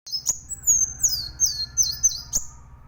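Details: Plain sunbird singing vigorously, used as a tutor recording for training songbirds: high, thin whistled notes that slide downward, given in a quick run of about six phrases over a steady low hum.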